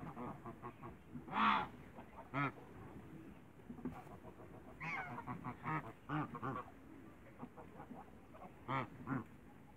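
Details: African and Toulouse geese meeting other birds in a backyard: a series of nasal honks and harsh calls at irregular intervals, some louder blasts standing out among quieter gabbling.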